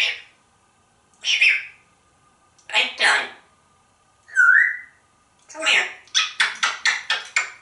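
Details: Pet African Grey Parrot talking indoors: mimicked speech-like syllables, a clear rising whistle near the middle, then a rapid string of about seven clipped repeated notes at the end.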